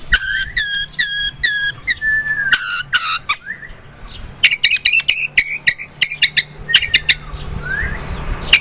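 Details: Long-tailed shrike singing vigorously for a lure recording: a series of loud, harsh, evenly repeated notes, then a thin sliding whistle and bursts of scratchy rapid chatter with short rising whistles.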